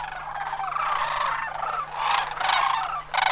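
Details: Sandhill crane flock at Homer during September 2009 migration. Softer, slurred rolling calls blend together, followed by a few brighter rattling bugles toward the end.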